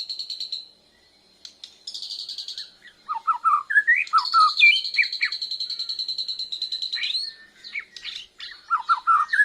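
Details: Young Bornean white-rumped shama learning its loud song while responding to a lure, breast feathers puffed; varied clear whistles, a long steady high whistled note, and quick lower slurred phrases rising and falling.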